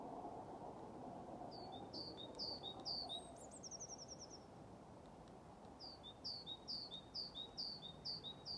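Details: Great tit practising its song at Lindgården retirement home, Haga, 21 February 2023, with a blue tit joining in at times: repeated high-low two-note phrases in two runs, broken by a short rapid high trill, over low rumble.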